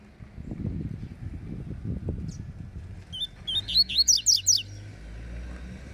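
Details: Spirited Rusty-collared seedeater in a song dispute: steady low rumbling noise, then a rapid series of about seven loud, sharply slurred high notes within a second, followed by quiet.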